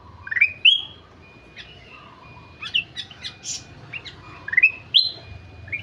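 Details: Ruby-throated bulbul (kutilang emas) singing actively: sharp rising whistles and clear upslurred notes, given in separate short phrases with quieter chips between them.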